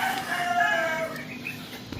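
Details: Rooster crowing on a morning in the province at San Jose, Occidental Mindoro, Philippines; one long drawn-out crow with stacked harmonic bands, holding steady then falling away at the end.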